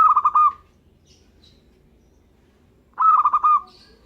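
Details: Local zebra dove in active song, two identical trilled cooing phrases about three seconds apart, each a burst of quick pulsed notes ending in a held coo.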